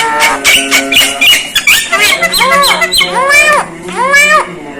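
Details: Strange calls of a Javan myna: rapid clicky notes at first, then loud arched, nasal, harmonic notes, a few each second, with a steady low background tone.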